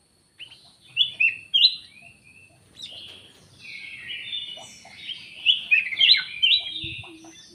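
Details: Black-headed bulbul, locally kutilang emas, in energetic lure calling: bursts of bright, sharply inflected chirps and warbles in uneven groups, some louder upslurred notes repeated, and a faint low hum behind.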